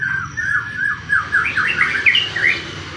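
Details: White-rumped shama song played to prompt other shamas to sing: a rapid run of bright, looping whistles that climb step by step in pitch, over faint background rumble.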